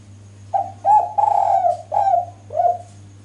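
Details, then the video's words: Calling female spotted dove trying to attract males: five mellow coos in a row, the middle one drawn out and gently falling, the last shorter and lower, with a faint steady hum behind. "BURUNG DERKUKU JANTAN PASTI LANGSUNG NYAUT DENGAR SUARA BETINA SUPER GACOR INI"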